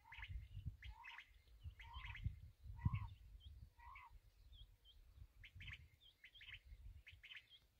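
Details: Calling black francolin (kala teetar): a run of harsh, stuttering phrases, each with a lower note and a scratchy upper part, roughly once a second. Small high chirps from other birds and low wind rumble sit beneath.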